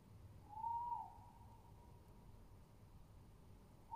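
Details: Tawny owl recorded on 22.07.20, giving a single clear hooting note that rises slightly, then fades into a long, faint, wavering tail, over low background rumble.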